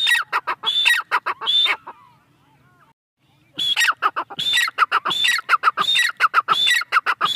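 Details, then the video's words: Female francolin calling: rapid series of harsh, clipped notes with ringing overtones, repeated in fast bursts, a short quiet gap of about two seconds, then the burst resumes more rapidly. "feamale teetar awaz"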